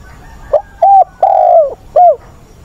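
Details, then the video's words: Spotted dove used as a decoy to bring on newly trapped birds quickly, cooing in an agitated wild-bird manner. One phrase is heard, with a short note, a flat coo, a long downward-gliding coo and a curved closing note. The recording is loud and distorted. "Chim cu mồi giọng bổi ức chế, bổi già dìu dắt bổi lỡ, tập bổi nhanh nổi"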